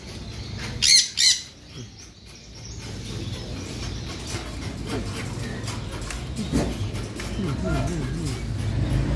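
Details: Hungry blue macaw chick, still a baby though big, feeding: two loud, harsh squawks in quick succession near the start, followed by Indonesian speech and low background rumble.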